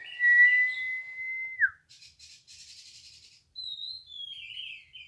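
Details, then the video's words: Orange-headed thrush, a caged song-competition bird, giving a long steady whistled note that drops at the end, then a rapid raspy trill, then a high whistle sliding down into warbled notes. "PASTOL NGEPLONG NGOTOT"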